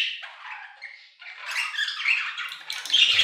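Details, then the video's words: Budgerigars in an aviary: rambling, scratchy warble that softens briefly, then swells into busier chatter with high squeaks. "Budgie Songs - 1 hour of Budgies singing in the Aviary"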